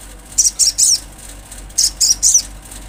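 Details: Olive-backed sunbird recorded in nature: two bursts of three high, squeaky, buzzy notes each, separated by a short pause.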